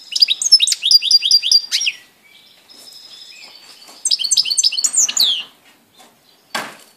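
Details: European goldfinch recorded on 17 April 2018, singing in bright, fast, liquid twittering phrases of high metallic chirps. Two bursts are separated by a quieter thin whistle, and a final short scratchy note follows.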